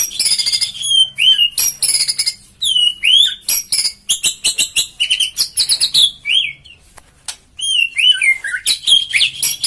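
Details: White-rumped shama, a bird prized by hobbyists for its aggressive, agile style, singing nimbly: a loud, varied run of rich clear whistles, rising and falling slurs and sharp high chips, broken by brief pauses.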